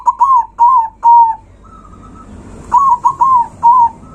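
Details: Zebra dove delivering a loud song to stir up rival birds: four punchy cooing notes, a faint higher drawn-out note in the gap, then another run of four notes.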